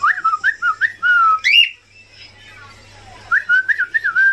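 Cockatiel giving clear, warbling whistles in quick bursts, with a brief pause before the phrase resumes.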